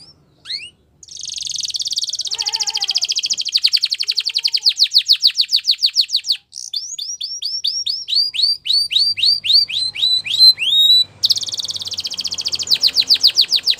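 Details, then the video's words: Belgian canary delivering a long song: an extended rapid buzzy trill, then strings of falling and hooked whistled notes repeated several times a second, with brief pauses between phrases. "Belgian Canary Singing"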